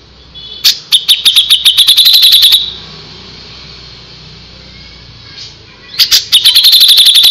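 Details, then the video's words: Grey-cheeked bulbul in full, frequent song, used as a tutor recording for cage birds: two bursts of rapid, sharp, evenly repeated high notes, each lasting about two seconds, separated by a quiet pause. "suara burung cucak jenggot // cucak jenggot gacor masteran burung cucak jenggot"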